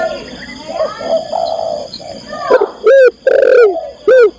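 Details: Female spotted dove calling for the male, with soft murmured coos at first, then three loud, clipped, downward-bending coo notes in quick succession toward the end.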